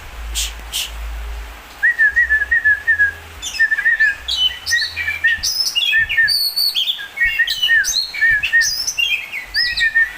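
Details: Oriental magpie-robin singing: a run of short, sharp repeated notes, then a lively varied stream of clear whistles, slurred upward and downward phrases and buzzy high notes in quick succession, with a low hum early on.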